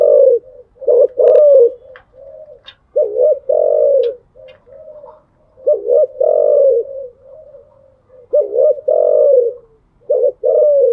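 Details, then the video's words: Persistent early-morning cooing from a captive spotted dove: repeated loud phrases of a brief double hoot and a long low coo, interspersed with quieter murmured notes and faint clicks. "Tiếng chim gáy buổi sáng, mở lên vừa nghe thư giản vừa luyện bổi gáy theo. ÂM GÁY CHUẨN ÂM"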